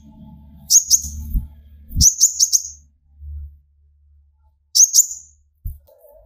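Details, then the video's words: Sunbird (kolibri ninja) singing to provoke other birds: three short clusters of thin, high, rapidly repeated chirps separated by pauses of one to three seconds, with occasional low knocks and thumps in the background. "burung konin gacor pancing tembakan konin"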